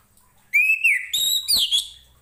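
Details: Orange-headed thrush singing for tutoring other pet birds: a long whistled note sliding downward, followed by a few sharp, rising and falling whistled notes.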